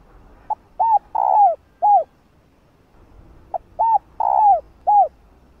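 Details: Female spotted dove giving her male-stimulating coo twice about three seconds apart: each phrase runs as a tiny pip, an arched coo, a long sliding croo and a last arched coo, with a silent gap between.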